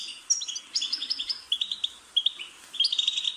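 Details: European goldfinch song meant to stimulate a bird to chirp: crisp, rapid notes in short descending runs and bright trills, with small pauses between phrases.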